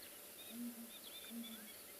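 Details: Southern ground hornbill at sunrise in the Tswalu Kalahari Reserve, South Africa: a male calling for his female perched on a nearby tree. Deep low booming notes, a double boom then another, with faint birdsong higher above.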